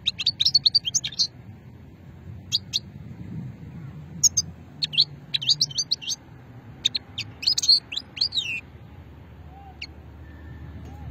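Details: European goldfinch, old song strain, recorded 2020 in Hammam Guergour, Sétif, Algeria; repeated bursts of high tinkling twitters and liquid chirps separated by short pauses, quieting toward the end.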